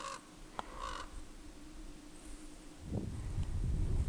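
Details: A crow, one of a few that always keep company with a bald eagle seen daily in the same tree, gives two short, harsh caws early on. Then a low rumbling background noise swells.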